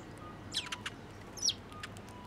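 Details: Sparrows arriving at a feeding post at a Tenmangu shrine, 25 April 2024: a few soft ticks and two thin, high chirps within about a second, with faint low background noise.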